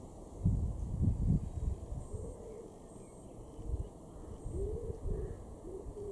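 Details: Wood pigeon in a garden in Weener, East Frisia, northwest Germany, May 2021, gives soft, low, hoarse cooing phrases, rising and falling, partly masked by heavy wind rumble, with faint high notes from other birds.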